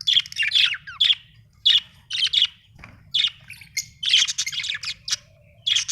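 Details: Happy Australian budgerigar giving dense runs of high twittering chirps and warbles, bursts repeating about every half second with short pauses, soft hum underneath.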